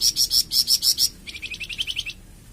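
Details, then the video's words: Flamboyan bird song, offered for training captive birds and prompting them to sing: a run of loud, high chirps repeated about five times a second, then a quicker, softer series of short notes swept upward, fading away. "Suara Kicauan Burung Flamboyan"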